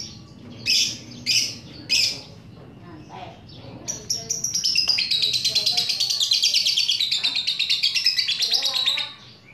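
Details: Lovebird on a master track for stimulating other lovebirds to sing ngekek; three loud separate squawks, a short pause, then a long rapid chattering trill lasting about five seconds before fading.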